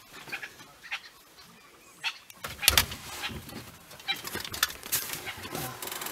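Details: Francolins give harsh, scratchy cackling alarm calls in irregular bursts, growing busier toward the end, as a young leopard hunts a squirrel in dense bush in the Khwai concession, Botswana, October 2015, over rustling background noise.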